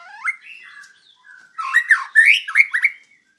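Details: White-rumped shama singing vigorously for a training master recording: rising and sliding whistles, a brief quiet gap, then a burst of rich, varied warbled phrases.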